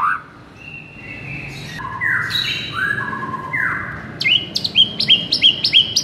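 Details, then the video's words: White-rumped shama masteran song for luring and provoking: sustained flat whistles at varied pitches, then a fast series of short sharp upslurred notes repeated about three times a second. "MASTERAN EFEKTIF untuk Pikat Murai LOYO seketika langsung NGAMUK"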